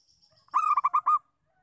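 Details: A single lure-call phrase from a local zebra dove: five fast, mellow, purring coos run together over about two thirds of a second, with a faint high whistle from another bird before it.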